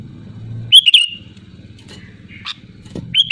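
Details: Sooty-headed bulbul singing loudly, used as a lure to prompt other bulbuls to sing: two short, bubbly whistled phrases near the start and one more at the end, over a steady low hum.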